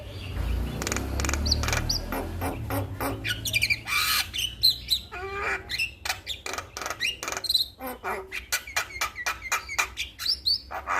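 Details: Male Javan myna master song meant to prompt other mynas to sing: long run of harsh clicks and squawks, about four per second, with occasional whistled slurs and low rumble early on.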